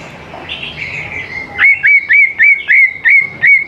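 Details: Greater green leafbird song for luring young birds into singing: a soft warbling lead-in, then seven crisp hooked whistles repeated at a steady, rapid pace.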